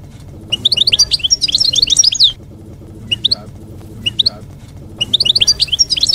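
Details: Campero song of the European goldfinch, used so that young goldfinches learn it during moult; rapid cascading twitters of bright, high notes in long bursts, separated by brief chirped fragments and short silences.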